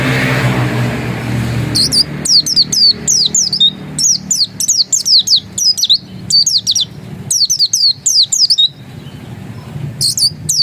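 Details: Oriental white-eye of the dakun type singing in the insistent ngotot style: rapid bursts of high, thin, down-slurred whistled notes in clusters, with brief pauses between phrases and some low background rumble at the start.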